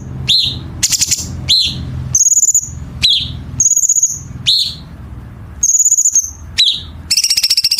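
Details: Chinese bulbul song for training competition birds, rich in sharp, dense rasping phrases: a quick run of downward-slurred chirps mixed with short high buzzy rattles, closing in a broad harsh buzz.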